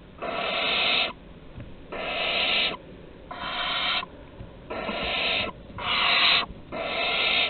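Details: Six drawn-out, breathy screeches, each close to a second, with brief gaps between, from barn owls at Théding, France, on 23 August 2020 while a larger owl offers its prey to a younger one.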